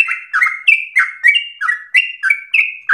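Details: Fierce, nonstop sooty-headed bulbul song used as a singing stimulus and tutor: crisp whistled notes with a downward slur, swapping between higher and lower pitches at a brisk, steady rhythm.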